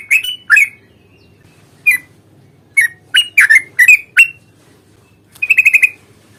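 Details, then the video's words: Yellow-vented bulbul fighting song with long trills, used as a lure to make other birds sing and answer: loud bubbly chirping phrases in short bursts, ending in a rapid rattling run of notes, over a faint low hum. "trucukan gacor tarung ROPEL PANJANG pancingan trucukan agar bunyi"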